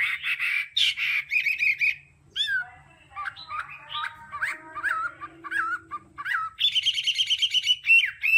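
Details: Hwamei training song in the 'đảo âm' style, mixing harsh chattering phrases, softer scattered downslurred whistles and a low hum, then ending on a fast, rattling run of high notes.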